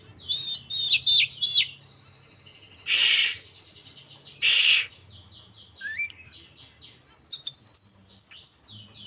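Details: Hill Blue Flycatcher, a young local bird from Merapi practising song. It gives four quick high whistled notes, two loud broad rasping bursts and a rising slurred whistle, then ends with a rapid run of bright high chirps.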